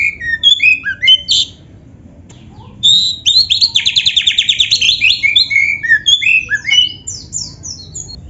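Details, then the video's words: Oriental magpie-robin (kacer) in a full, lively song said to be filled with canary phrases; varied whistled and buzzy notes with rising and falling slurs, then a fast run of scratchy repeated notes and high trills, over a quiet background hum. "suara Kacer gacor isian komplit | Masteran Kacer ISIAN Burung Kenari"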